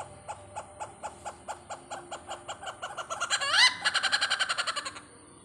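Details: Rapid even series of short pulsed notes, about four per second, building into a loud harsh honk and continuing pulses, from a great hornbill visiting Pathanamthitta.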